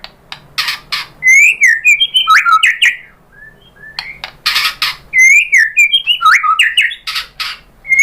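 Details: White-rumped shama singing to provoke other shamas into answering with their song material. Loud bursts of rich whistled phrases with sliding notes are mixed with harsh broadband crackles, with quiet pauses between the bursts.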